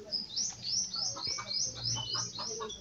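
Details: Unidentified wild bird calling nearby while someone searches for it; a quick series of thin, high chirps and downslurred notes, several per second, with faint lower chirps beneath.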